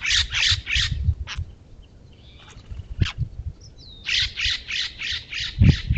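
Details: Steller's jay protesting a California scrub jay at a feeder: harsh, raucous shrieks delivered in a rapid series, four at the start, then about seven more after a pause, with low thumps and a brief thin whistle in between.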